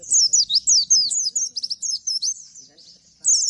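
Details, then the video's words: Bustomi song said to provoke other birds into responding: rapid bursts of very high, thin chirps and sliding notes, tumbling quickly one after another with brief pauses, over faint low background murmurs. "Bustomi Bikin Emosi langsung respon ikutan Nembak!!!"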